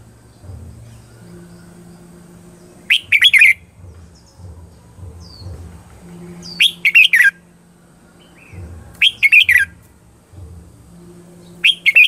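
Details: Red-whiskered bulbul used as a lure bird, giving a fighting-style "ché chéc" song to attract wild birds; short clusters of bright chirps return every few seconds over a steady low hum and rumbling background.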